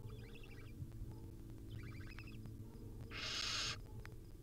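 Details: At a wild barn owl nest where the mother cuddles her chicks, two short rapid chittering bursts are followed by one longer, loud rasping hiss, with a constant low hum underneath.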